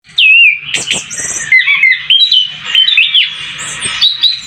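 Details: White-eye with newly grown feathers just beginning to sing vigorously: a fast, continuous twittering warble of high, sliding whistled notes and short chirps that runs without pause through the whole stretch.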